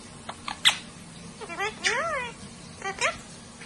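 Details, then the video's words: Parrots talking to one another like people, with clicks, then a pair of arching humanlike harmonic calls, then a further squawk, over low room hum. "Parrots incredibly talk to each other like humans"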